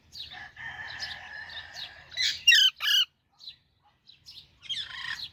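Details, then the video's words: Young Alexandrine parakeet with a drawn-out, level, buzzy tone, then two sharp, loud squawks and scattered soft high chirps before a closing burst. "Super Cute Baby Alexandrine Parrot Natural Sounds | Baby Parrot Chirping Sounds"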